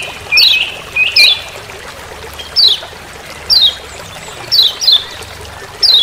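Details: Forest recording of a Lemon-bellied white-eye, Lombok, its "ciak ciak" call used as master sound: crisp falling chip notes, sometimes doubled, spaced irregularly about one second apart, faint trickle behind.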